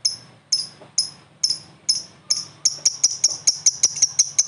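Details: Lovebird, a prospect bird, answering another lovebird: crisp, very high chips, first spaced about half a second apart, then speeding up into a quicker run.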